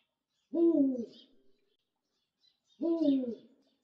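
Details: Eurasian eagle-owl, a protected captive individual at Kushiro City Zoo, Hokkaido, Japan, a resident species in northern Hokkaido and the southern Kurils: two hoarse, falling hoots about two seconds apart, each rich and slightly rough, in silence.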